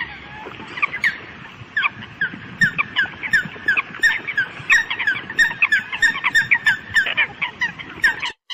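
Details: Rapid, jumbled chorus of short squawking and honking notes from a group of Eurasian coots calling the flock, notes tumbling several per second.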